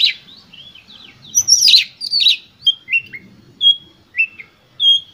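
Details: Oriental magpie-robin singing intensely as bait for other magpie-robins: scratchy chattering notes open the phrase, followed by clear separate whistles repeated roughly every half second.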